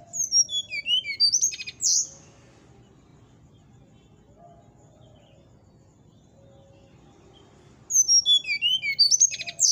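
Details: Brown-chested jungle flycatcher singing in the morning: a cascade of high, clear whistled notes tumbling down in pitch, then a long quiet gap, then another similar descending phrase.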